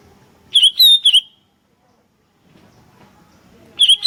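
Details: Sooty-headed bulbuls answering one another lively: three loud, bright, slurred chirps in fast succession, a short silence, then another burst of chirps beginning over a soft low hum.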